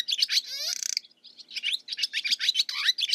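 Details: Barn swallow (Hirundo rustica) song with lively high twitters, a dry buzzy rattle near the first second, then a renewed stream of rapid chirping notes.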